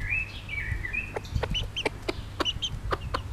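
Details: Pekin bantam hen of bobtail colouring with chicks: long, wavering chick cheeps at first, then the mother's short, punchy clucks repeating irregularly with more high peeps in between.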